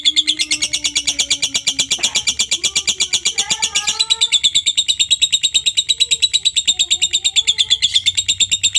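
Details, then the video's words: Long, steady ngekek from a lovebird, meant to draw replies from other lovebirds: a regular, fast series of piercing high chirps, roughly three a second, with a few soft lower whistles behind. "pancingan Lovebird ngekek panjang ampuh buat Lovebird apa saja langsung nyaut dan rajin bunyi"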